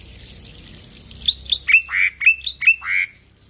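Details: Male black-winged myna, loud singer used for training stressed birds, gives about eight squawky, clipped notes in an uneven series, some higher and thinner, others lower and drawn out.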